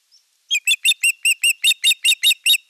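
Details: Courting osprey at Eurajoki, 25 April 2022, displaying to an unringed female, gives a steady run of about eleven loud, piercing chirps at roughly five per second, after one faint lead-in note.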